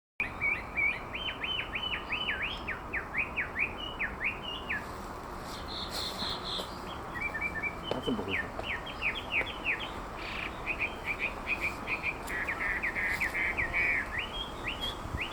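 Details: Olive-backed sunbird singing vigorously in the wild: long series of quick, high, swooping chirps repeated in rapid runs, briefly broken midway by a few sharper notes, then resuming over a steady outdoor hiss.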